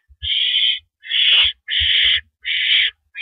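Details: Owl on a porch perch, April 9, 2012, 8:17 PM: four long, harsh, breathy screeches in about three seconds, separated by short pauses and faint low bumps.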